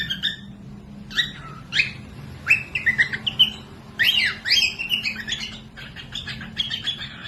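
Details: Cockatiel song used for training other birds, especially lazy or young birds, to sing: short whistled and chirpy phrases with harmonic stacks, scattered bursts and rising notes, sometimes overlapping, over a faint low hum.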